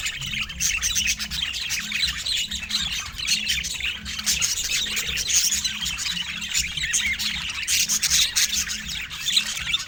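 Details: Pet budgerigar calling in a continuous stream of scratchy chirps and squawks, busy high-pitched chatter for the whole stretch, with a steady low hum pulsing underneath.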